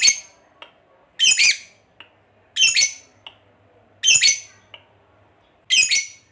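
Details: Kept fighter lovebird, whose ngekek voice is used to set other lovebirds off singing, uttering harsh scratchy squawks about every one and a half seconds, each followed by a tiny click, over a low steady hum.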